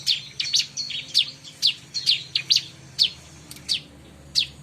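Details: Bar-winged prinia sound used for luring wild birds: sharp high chirps around 3–5k, each a quick downward-sweeping note, repeated irregularly about twice per second, with faint low hum underneath.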